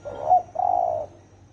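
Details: Spotted dove's deep 'thổ ồm' coo, used to rouse wild doves into calling: one brief hollow note, a short gap, then a drawn-out mellow low coo with a faint pulsing quality.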